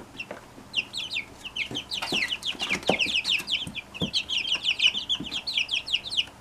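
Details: Brood of Brahma chicks from one mother hen: scattered high peeps building into a busy chorus of sharp, descending chirps, repeated rapidly, with light tapping and rustling underneath.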